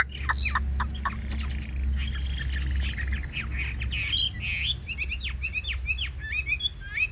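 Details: Chinese hwamei in a cage, giving scattered whistled upslurs and short downward notes with irregular pauses, then denser phrases toward the end, over a low hum.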